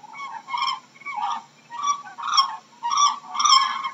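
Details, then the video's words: A crane gives loud, rolling trumpet-like calls, about six rich, rasping bursts in four seconds, with no other sounds behind them. "How does a crane sounds"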